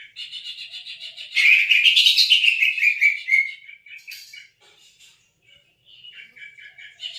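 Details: Cucak ijo, a lure recording for a silent bird: soft high twittering rises into a loud, dense, continuous warble with slurred notes, then fades into scattered short chirps and brief phrases.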